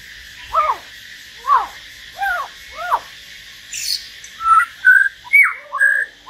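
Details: Common hill myna sharing a solo singing session with a white-rumped shama: soft downslurred whistles repeated about once a second, then louder flat whistles and sharp slurred notes at the end.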